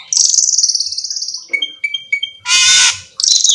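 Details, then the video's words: Black-winged myna: a long buzzy rattle, a few clear ringing notes, then a loud harsh screech and another rasping burst. "suara burung cucak keling"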